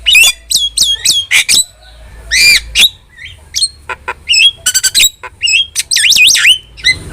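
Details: A starling sings loudly, recorded to train pet starlings: hooked whistles and harsh squawks come in quick bursts, then several dry rattles and a wavering whistled flourish.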